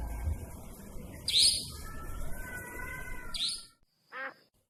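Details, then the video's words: Nightjar heard at night: two shrill, harsh calls dropping in pitch, about two seconds apart, over faint steady whining tones; after a pause a shorter, lower, nasal note follows. "Suara burung Iblis II si cabak iblis malam"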